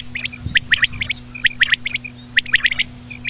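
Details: Common quail at night giving crisp, bright repeated notes in tight clusters of two or three, about one cluster per second, over a constant low hum and a brief low thump.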